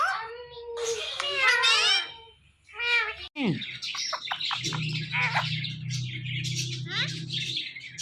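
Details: A pair of talking parrots, the male teasing the female; a few harmonic, speech-like wavering calls at first, then busy chirps and clicks over a steady low hum.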